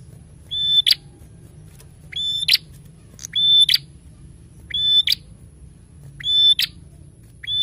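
A prinia repeats a short phrase about every second and a half: a thin whistle that ends in a sharp, buzzy snap. A steady high whine and low rumble run underneath.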